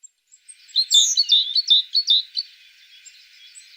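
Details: High chirping tit song: a tight series of about eight sharp, slightly falling notes over roughly a second and a half, then quiet.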